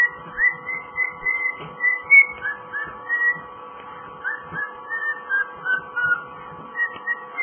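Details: Pet cockatiel working through its rendition of Jingle Bells, clear whistled notes in phrases with short pauses, some swooping upward, against a low constant hum in a quiet room.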